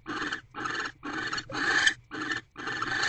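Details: A barn owl pair mating in a nest box on the evening of 25 December 2023, after the male brings dinner. Six close, grating screech bursts, each about a third of a second.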